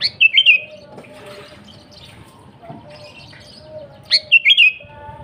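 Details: Sooty-headed bulbul (kutilang) singing lively 'gacor' phrases, a lure for wild birds: two phrases about four seconds apart, each a sharp upslur then three bubbly whistled notes, with faint twittering and a low tonal hum between.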